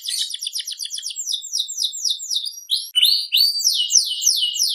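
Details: Canary song described as gacor (singing vigorously): fast runs of short high chirps, then a series of downslurred whistled notes, all bright and continuous with no other sounds.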